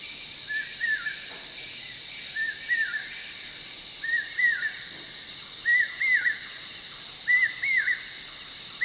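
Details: Common Hawk-Cuckoo at night in the forest of Periyar Tiger Reserve, Thekkady, Kerala, near Edappalayam watch tower, repeating shrill, slurred phrases of two or three notes every second or so, climbing slightly in pitch, over a steady hum of insects.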